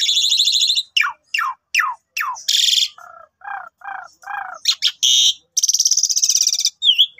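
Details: An Asian pied starling sings a long, varied, chattering song used as a morning lure to make other pied starlings sing: harsh buzzy rattles, four quick falling whistles, lower nasal notes, then more grating bursts and a slurred whistle.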